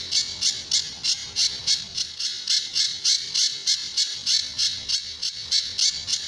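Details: Sunda bush warbler song in its typical tembakan and besetan styles, used as a training master for other birds: a fast, even run of sharp, high, rasping notes, roughly three per second.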